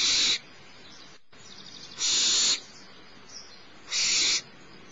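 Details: Barn owl chick, the youngest, being fed by its mother at Starr Ranch mid-morning; harsh breathy screeches repeat about every two seconds, three bursts in all.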